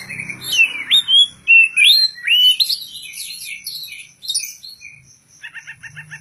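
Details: Contest-ready oriental magpie-robin, called Poci or Kacer, delivering varied borrowed material in ngobra style. Quick swooping whistles rise and fall, then a busy jumble of high notes ends in a rapid rhythmic ticking series.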